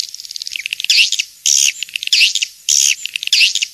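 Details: Swiftlet calls, 'King's Star' style, as played in swiftlet farming: loud high chirruping phrases with sweeping arched notes alternate with quieter rapid clicks, phrases repeating roughly every half second to second.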